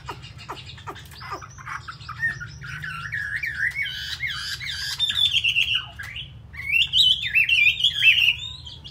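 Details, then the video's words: A loud-singing, good-fighting Chinese hwamei from Hanoi, Vietnam, pours out a rich song of fast, rolling whistled phrases swooping up and down over a low steady hum. "Họa Mi thuộc to"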